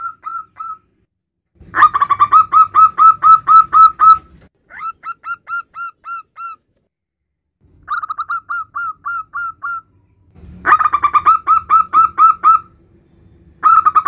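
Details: Male zebra dove, a local strain, calling its mate in repeated phrases: loud fast harsh coo trains alternating with softer runs of quick clear notes, separated by short silences.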